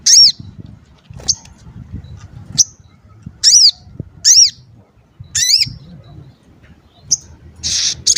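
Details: Sogon calls meant to lure and excite other sogon: spaced, sharp, high notes that rise and fall in quick arches, separated by short silences, ending in a brief buzzy burst.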